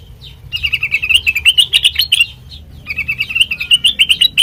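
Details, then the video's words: Very melodious sooty-headed bulbul song for training birds by imitation: dense, rapid chattering phrases with bubbly, slightly rising notes, a short gap, then a second equally fast chattering burst. "Suara Burung Kutilang Mas Sanget Merdu,COCOK BUAT PANCINGAN MASTERAN"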